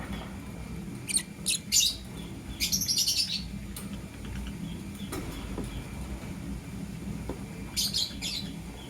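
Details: Morning chirps of lovebirds, one blue opaline and one green personata: short shrill screechy bursts in clusters near the start, a pause, then another shrill burst, over constant low background hum.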